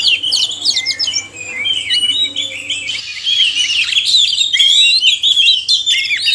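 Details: Pair of oriental magpie-robins, male and female, singing in a stimulation recording for reluctant caged birds; jumbled high whistles and chirps, then a fuller run of sweeping whistled notes after a brief change in background.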